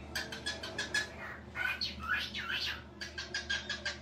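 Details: Cockatiel kept as a pet, mimicking speech: quick runs of clipped, talk-like syllables lead into a run of looping whistled squeaks, then more rapid chattering phrases, with a low steady hum underneath.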